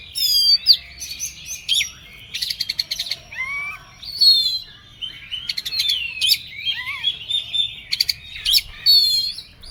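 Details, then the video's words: An Oriental magpie-robin sings in an emotional, agitated state, mixing rising and falling whistles, short lower fluty notes and rattling buzzy bursts in a restless, nonstop stream. "KACER EMOSI KONSLET"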